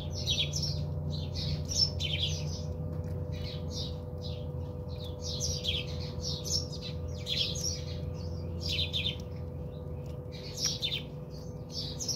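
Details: A flock of house sparrows bathing at a home in South Africa keeps up continuous chirping, quick high notes in irregular clusters over twelve seconds, with a persistent electrical hum.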